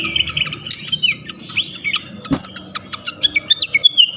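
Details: Bait song of a flycatcher aimed at provoking other flycatchers: varied high whistles and slurred notes, one sharp click near the middle, then evenly spaced loud chips toward the end.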